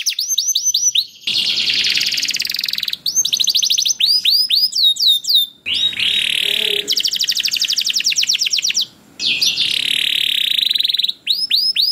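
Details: Canary singing, a recording meant to trigger other canaries' song: bright upswept whistles alternating with dense buzzy rattling stretches and rapid trills, broken by brief silences.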